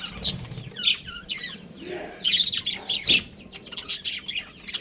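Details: Budgerigar breeding pair and family giving bursts of bright, high chirps and squeaky warbles in short clusters with brief pauses. A single soft thump sounds midway.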